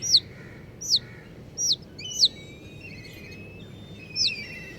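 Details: Baby chicks, dyed in bright colours, giving loud, piercing peeps that slide steeply downward, about five calls spaced under a second apart, with faint thin whistles from other chicks beneath.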